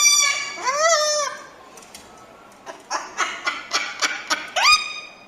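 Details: Crested cockatoo, an ornamental bird with a loud, shrill screech: a rising-and-falling harmonic squawk opens, soft clicks and taps follow, then a sharp rising screech ends the clip.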